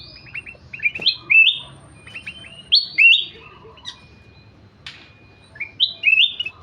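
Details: Ruby-throated bulbul (kutilang emas) in lively song: clustered whistled notes and bright upward-sliding phrases, repeated in bursts roughly every one to two seconds, over faint low background noise.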